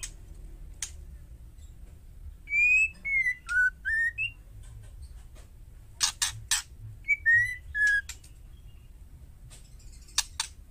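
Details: Female white-rumped shama call to provoke males: a phrase of five stepped whistled notes, a pause, harsh clicks, then a shorter whistled phrase and more clicks.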